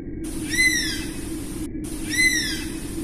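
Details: Oriental honey buzzard giving two drawn-out whistled calls, each arching slightly upward then sliding down, rich in overtones, about a second and a half apart, over a steady low hum.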